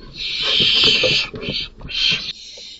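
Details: A male barn owl, not the father, kills chicks in a nest box after nights of lurking in the tree to claim it as a roost. A loud drawn-out hissing screech, a short gap, then two more rasps.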